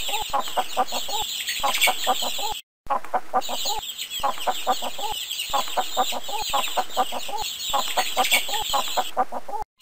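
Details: Chickens clucking in a busy flock, a steady stream of short repeated clucks overlapping, with a brief silent break partway through and a constant high-pitched hiss or tone in the background.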